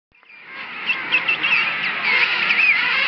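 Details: King penguin colony of at least half a million birds at Salisbury Plain, Falkland Islands, on a sunny day. Overlapping trumpeting, warbling calls swell out of silence into a dense, continuous din.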